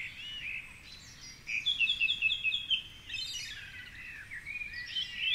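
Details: Male song thrush singing in the dark at 4.45am on a Sunday by the Curragheen River, Cork City, from a high treetop perch. A fast run of repeated sharp notes sits among varied whistles and other dawn-chorus chirps.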